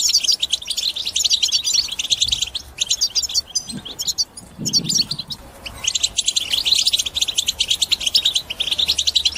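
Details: European goldfinch in batbata, a song to break the silence of other birds: fast high twittering, briefly interrupted around four to five seconds by low muffled sounds, then resuming strongly.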